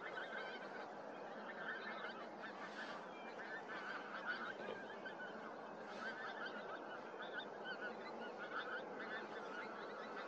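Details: At Starene in 2023, a dense flock of pink-footed geese calls together, a constant overlapping chorus of high, nasal wink-wink honks with no pause.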